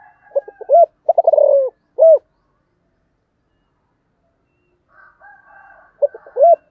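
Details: Spotted dove cooing in calling and urging style: bursts of low, arched, hollow coos, some preceded by quick stuttering notes, a silent pause, then another stuttered phrase ending in a drawn-out coo; faint higher bird chatter in the background.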